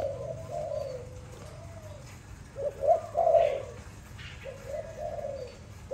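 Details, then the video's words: Pet Malay dove singing: drawn-out mellow coos, a pause, then a burst of sharper, louder notes in the middle, followed by further rolling coos, over a low steady hum. "Sweet sound of my dove, sound of Malay dove"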